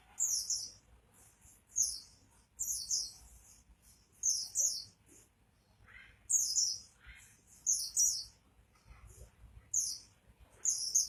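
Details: Oriental white-eye (pleci) singing energetically: bright, very high-pitched chattering phrases, each under a second, repeated roughly every one and a half seconds, with soft lower notes between.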